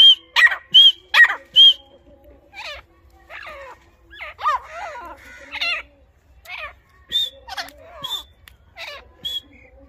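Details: Grey francolin, described as very angry, calling in the forest: four loud ringing harsh notes in quick succession open, followed by softer varied chattering calls and occasional sharp notes.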